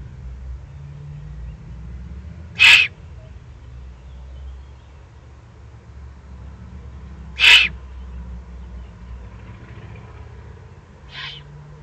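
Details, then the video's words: Excited Eurasian eagle-owl juveniles begging in the Eifel on 21 June 2020. Harsh hissing shrieks repeat roughly every five seconds, three in all, the last fainter, over steady low rumble. "Eifel Uhu, 2020-06-21, aufgeregte Junguhus."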